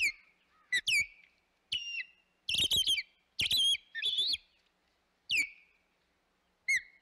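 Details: Osprey at the Hog Island nest, 25 May 2021: sharp down-slurred whistles mixed with harsher squealing clusters, spaced unevenly over seven seconds, ending in a short chirp.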